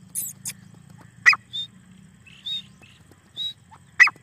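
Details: Black francolin (desi teetar) calling: two loud rasping bursts about three seconds apart, with brief high whistled notes from other birds between them and a low hum beneath.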